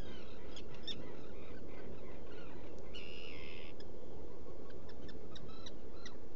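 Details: Black guillemot in its nesting burrow on Seal Island, Maine, during a mid-June early morning; one buzzy call lasting nearly a second at the three-second mark, surrounded by rapid scattered clicks and a persistent low rumble.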